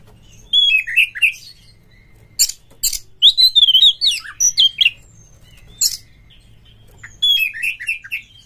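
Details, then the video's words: Oriental magpie-robin singing to stimulate other birds: phrases of tumbling whistled notes broken by harsh, rasping bursts, repeated in three bouts with short quiet gaps between them. "suara PANCINGAN KACER GACOR TOP2024 kacer Buka Ekor KONSLET bongkar MATERI KASAR agar KACER gacor"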